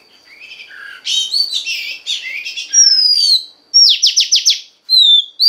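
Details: Oriental magpie-robin female, sung to stimulate a male: a jumbled warbling phrase, a long falling whistle, a fast series of five bright downslurred notes, then another sliding whistle.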